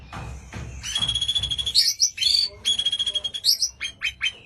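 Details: White-rumped shama song, a busy run of loud high chirps, trills and clear whistled notes, densely repeated with short gaps, over low background rumble.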